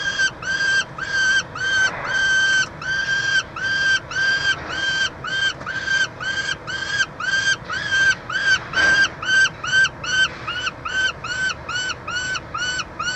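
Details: Peregrine falcons at a nest box at the University of Montreal, Quebec, Canada, 22 June 2023, during feeding of a chick: long run of loud, harmonic, drawn-out wailing calls repeated about twice per second, slightly rising then falling.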